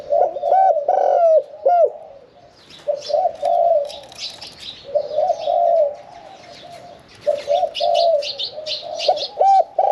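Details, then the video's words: Spotted dove cooing in its medium-pitched one-kuk throw style, kept in a cage; hollow coo phrases open and close the passage while other small birds chirp and twitter higher in the background. "ฟังเสียงขันนกเขาใหญ่ { ขันโยน 1 กุก} ,{นกเสียงกลาง}"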